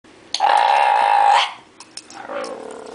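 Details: Pet bare-eyed cockatoo, a male, being entertained by its owner with a can; one loud, harsh, sustained screech lasting about a second, followed by quieter rustling and a softer raspy call.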